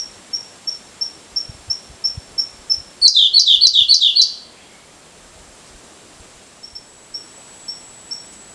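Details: Siberian blue robin, a summer visitor, singing on a mountain-pass forest road later wrecked by Typhoon No. 19 of 2019: evenly spaced thin high ticks, a sudden loud rattling trill, then soft ticks again.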